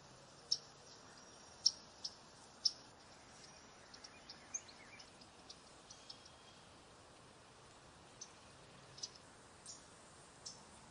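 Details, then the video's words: Yellow-rumped warbler giving sharp, high chip notes at irregular intervals, roughly one a second, over a steady soft background hiss. "Yellow rumped warbler call / sound"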